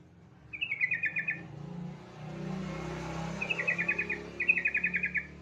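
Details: Yellow-vented bulbul prompting song for untrained birds: three quick bubbling phrases of rapid repeated notes, the last two close together, over steady loud hiss and low rumbling background noise.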